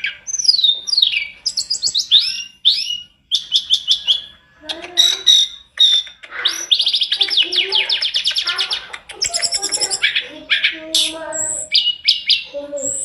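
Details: Tledekan gunung (Sunda robin) singing energetically in a master recording meant for training other birds, full of varied fill-in phrases: bright whistled slurs and quick rising-falling notes, then dense rapid buzzy trills and repeated chips, with pauses between bursts.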